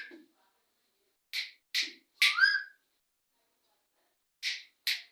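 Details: Parrots calling to each other, giving short, raspy squawks in pairs, one longer call ending in a clear whistled note, with soft low murmurs between bursts and quiet gaps.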